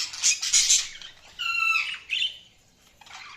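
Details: Budgerigar chirping: harsh raspy squawks at the start, then a nasal buzzy note and a short squeak, over a faint background hiss.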